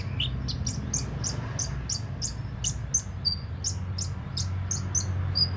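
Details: Sunbird, known locally as kolibri ninja, singing: a rhythmic series of sharp, very high chips about three per second, with occasional short level whistles, over a low background hum.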